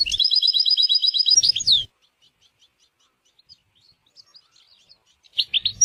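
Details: European goldfinch singing in nature with scenic surroundings: a fast, regular trill of high tinkling notes ending in a down-slurred flourish, then faint scattered chips, and a short burst of twittering near the end.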